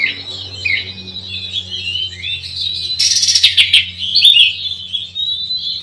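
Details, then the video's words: Song of an oriental magpie-robin, a style said to stir up opponents: rapid, high, twittering phrases with slurred notes. A dense, scratchy burst in the middle is followed by sharp, sweet whistled notes. "gayanya bikin emulsi lawan"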